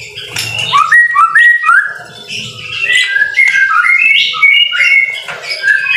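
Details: White-rumped shama song in the rain, a training recording: a fluent run of varied whistled phrases, rising slurs and warbles, with a faint low rumble underneath.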